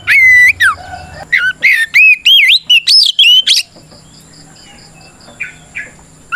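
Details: Oriental magpie-robin in strong, fighting song meant to provoke rival birds into answering: loud whistled notes sliding up and down, a rapid run of varied looping phrases in the first half, then quieter scattered notes.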